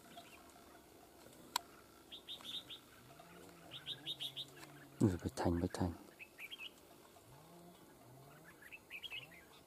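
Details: Red-whiskered bulbul at a bird-trapping session gives short bright chirpy phrases in quick bursts, with a man's voice, a loud clatter and low droning in the background.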